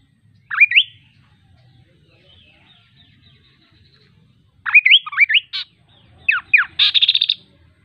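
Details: Kaso kaso bird song: an opening pair of rising whistles, a pause, then a longer run of slurred whistled notes, a rasp, downward sweeps and a rapid stuttering buzzy trill at the end.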